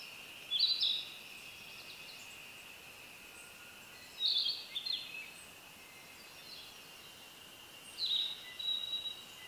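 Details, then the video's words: Short, high chirping phrases from a Narcissus flycatcher come about every four seconds over a steady, shrill insect drone. "Narcissus flycatcher birds sounds"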